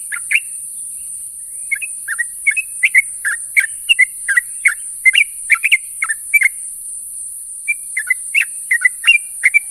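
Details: Calls of a sooty-headed bulbul to its companions at morning: repeated short liquid chirps with quick pitch bends, a steady chatter that thins briefly near the end, with a background hiss.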